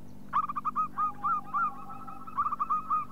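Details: Local zebra dove, used as a lure call to stir other doves into cooing: a quick run of short, rounded cooing notes at a steady mid pitch. A faint lower steady tone runs beneath, over a soft background hum.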